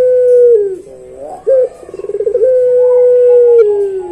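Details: Barbary dove of the pelung type with a long song; a sustained, steady whistled tone, then a dip and a quick stuttering trill, and a second long drawn tone that slides slightly downward at the end.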